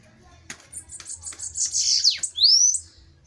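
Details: Bananaquit in a fiery duel, a few faint ticks building into a high sizzling buzzy phrase, then a clear rising whistled upslur, with a few clicks from handling.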